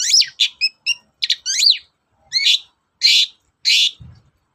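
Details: Long-tailed shrike song meant to prompt a reluctant shrike to sing: rapid twittering and whistled slides, short clear pips, then several longer harsh, buzzy notes at the end.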